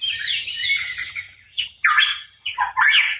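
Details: Cucak rawa papua (hooded pitohui) singing actively: a soft warbling run, then two loud, harsh squawk-like notes with whistled overtones.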